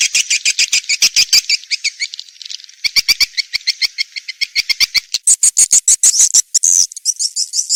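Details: Lure sound for swiftlet farming with swiftlets calling: dense, rapid clicks mixed with layered high chirps and twitters, with the pitch climbing higher toward the end.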